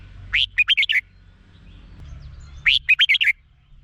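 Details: Red-whiskered bulbul in Thailand, song for exciting caged birds: two cheerful phrases of five quick, rolling whistled notes, about two seconds apart, clear over a quiet low rumble.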